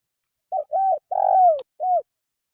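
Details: Spotted dove, used as a tutor recording for caged birds reluctant to sing: one low cooing phrase of four notes, a short coo, an arched coo, a long drawn coo sliding downward, then a final arched coo, with a faint click near the end.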